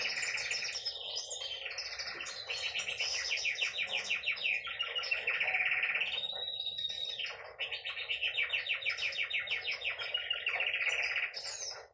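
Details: Female canary song: long bright rolls of rapid, evenly pulsed notes, broken by brief pauses near six and seven seconds, then a return to steady trilling and a few high chips at the end.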